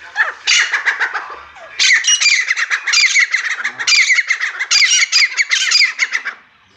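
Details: Desi titar (grey francolin) giving loud, rasping, high-pitched notes in rapid runs, several series separated by short pauses, nearly continuous for six seconds before stopping.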